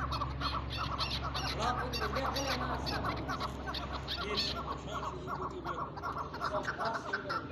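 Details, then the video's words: Chukar chattering: repeated short, scratchy chuck notes in an uneven run, with a low background hum. "chakor ke awaz"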